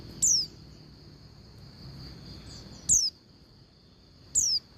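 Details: Oriental white-eye female calling a male: three high, thin, down-slurred whistles spaced irregularly, with faint soft chirps in between and a constant high hum.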